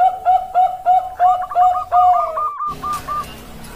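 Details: Perkutut Bangkok (zebra dove) song recorded in Indonesia on 16 October 2023: six rhythmic, throaty coo notes followed by a quicker run of higher, lighter notes as a background hum rises.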